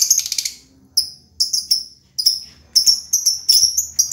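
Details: Lovebird chattering: a dense, shrill buzzy burst, then a series of sharp, high downslurred chirps given singly and in short pairs with brief pauses between.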